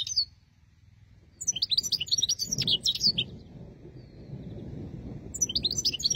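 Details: Hunting-lure song of a European goldfinch, a quick liquid twitter of high chirps and trills in lively bursts, with a low rumbling background noise running beneath the later phrases.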